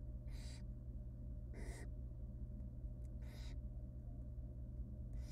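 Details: Barn owl chicks in a research-monitored nest box beg while the female feeds them rabbit pieces; four drawn-out hoarse hissing shrieks, irregularly spaced, over a low droning hum.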